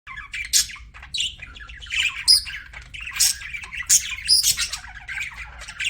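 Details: Pet budgerigar chirping: a rapid, busy stream of high squeaky chirps, warbles and scratchy notes, with sharp louder squeaks standing out every second or so, in a quiet indoor setting.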